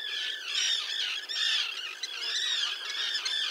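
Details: Common terns with chicks at a breeding site near a mole off Liepāja, Latvia, June 2024: steady overlapping shrill, arched squawks about once per second, forming a continuous grating chorus.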